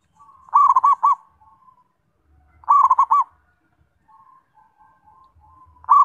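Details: Zebra dove delivering two rapid phrases of rolling cooing notes, each trailed by a soft drawn-out coo, with fainter cooing from other doves in between and a third phrase starting at the end.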